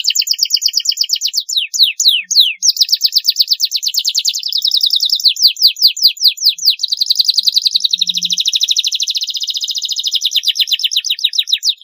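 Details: Canary song used as a long-duration training recording for young birds: a continuous high trilled song with rapid repeated down-slurred notes, buzzy rolls and sweeping whistles, unbroken throughout.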